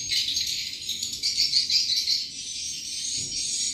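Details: Swiftlets used as a lure sound to draw the birds to roost and nest: a dense, continuous wash of high, twittering chirps overlapping without pause, rising and falling slightly in loudness.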